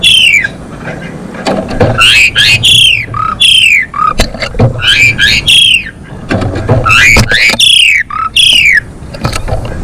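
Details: Female Asian pied starling singing hard to bring males into breeding condition: repeated loud, downward-sweeping squawky notes mixed with short lower whistles, delivered in bursts over faint low background rumble.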